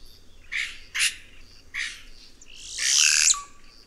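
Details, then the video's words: A red-rumped cacique (Cacicus haemorrhous) gives three short, harsh, rasping notes, then a longer jumbled phrase of scratchy sounds with a falling slur and a brief whistled tone. "Canto do Guaxe"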